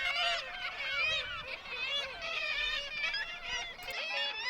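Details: Black-legged Kittiwake breeding colony where adults bring back food and regurgitate it for the young; a dense chorus of many overlapping nasal, wavering calls, constant throughout with no pauses.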